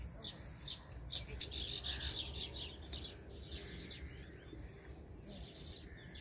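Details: Migratory weaver birds building many nests in a farmhouse tree make a dense, busy wash of high chattering chirps, with a steady shrill insect-like tone and rustling noise.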